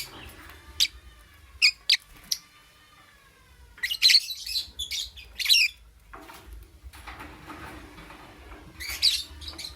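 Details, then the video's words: Lovebird heard in the morning: a few isolated sharp, piercing chirps, then louder harsh squawking bursts and buzzy chatter, ending with another shrill squawk after a brief lull. "Lovebird - Beautiful Colors - Chirping Sounds"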